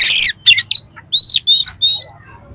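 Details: Oriental magpie-robin song full of harsh filler material, meant to rouse another magpie-robin; a rough burst and scratchy notes lead into three clear high whistles.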